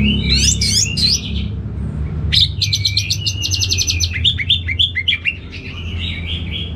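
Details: Caged orange-headed thrush from Singaraja, North Bali, recorded as a training sound; quick varied notes, then a fast evenly repeated trill of bright chips, ending in slurred whistled phrases over a faint low hum.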